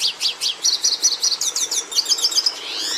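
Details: Red siskin singing a short phrase: sharp high chirps, then a row of quick repeated slurred notes, a bright trill and a buzzy rising ending.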